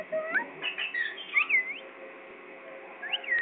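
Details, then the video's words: Whistled calls from a parrot named as Pakistani: sliding notes and a clear upswept-then-dipping whistle near the start, a quiet pause, then a final rising and falling whistle at the end. "parrot pakistani"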